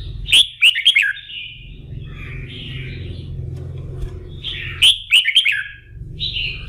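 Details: Morning practice singing by a red-whiskered bulbul, meant to stir the bird up for contests; two bright phrases of rapid whistled notes followed by slurred, buzzy trills, with a steady low hum underneath.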